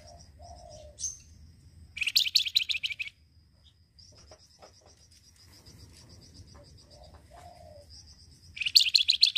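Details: Flamboyan bird singing a chattering lure song meant to provoke a quick reply: two bursts of rapid, high, harsh chirps separated by a long thin high whistle and soft low notes, the second burst rising at the end.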